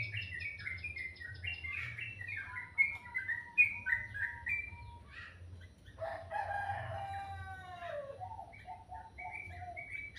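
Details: Morning bird song made of rapid, downward-sweeping chirps in quick runs, followed by a louder burst of descending whistled notes and a few scattered tweets.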